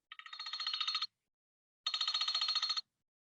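Two bursts of an electronic telephone ring, each a rapid buzzy trill about a second long, separated by silence.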